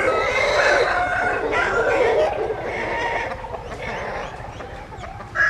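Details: Dense chorus of overlapping rooster crows blending into a continuous harmonic wash, with a sharper call rising at the very end.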